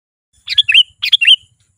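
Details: Sooty-headed bulbul in lively singing, recorded for luring wild bulbuls closer: two quick phrases of bubbly, liquid notes, each a short burst of chirps followed by a lower slurred whistle, about half a second apart, with a quiet background.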